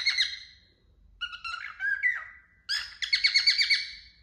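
A male cockatiel sings a run of bright, whistled warbling phrases with harmonics.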